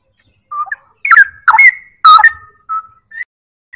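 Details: Loud song of a straw-headed bulbul: a soft opening whistle, then strong gurgling, slurred notes with a long, level whistled tail, followed by a few quieter single whistles.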